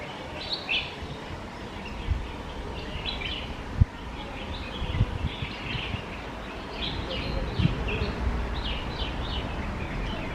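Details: A red-whiskered bulbul, filmed close up while eating, gives bright, chirpy calls in short bursts roughly every second, over a steady low rumble of background noise.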